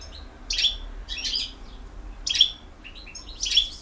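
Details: European goldfinch of the Bosnian type in field-song style, singing short bursts of bright, liquid twittering chirps roughly every second, with quiet gaps between phrases.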